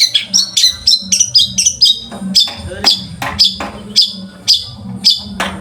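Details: Long-tailed shrike singing for training other birds, a series of sharp descending chip notes with short whistled tails, repeated roughly twice a second, over a faint low hum.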